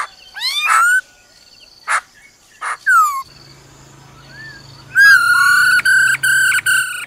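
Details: The female laughingthrush's 'ro ro' call, used to stir a male quickly. Rising whistled slurs and harsh bursts are followed by a quiet gap, then a prolonged, steady, harmonic note split into segments.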